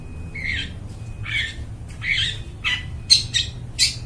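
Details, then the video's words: Long-tailed shrike in full voice, recorded as a lure for birds in the forest; a ragged run of rasping squawks, irregularly spaced, ending in sharper, higher clipped notes, with a low background hum. "cendet gacor, suara plong bening cocok buat pikat burung dihutan"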